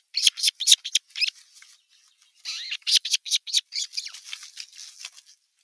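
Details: Osprey chicks bickering at nest #1 on 15 June 2023 as an adult observes; harsh, raspy, very high chattering notes in fast bursts, a short quiet break, then a further ragged run of scratchy squeaks.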